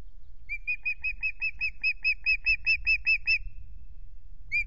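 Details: Evening at a Loch Garten osprey nest, 17 April: the new male utters a fast string of about fourteen high, clear whistles that strengthen midway, set against steady low wind noise.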